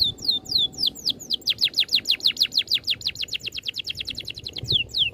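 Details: Masteran-style rolling song from an oriental magpie-robin: a few spaced falling whistles speed up into a rapid, tightly packed series of sharp downslurred notes, then slow again to single whistles.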